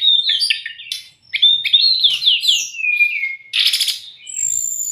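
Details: Brown-chested jungle flycatcher, recorded to tutor kept birds: quick whistled notes descending in a run, a harsh buzzy burst, then a thin, high whistle at the end.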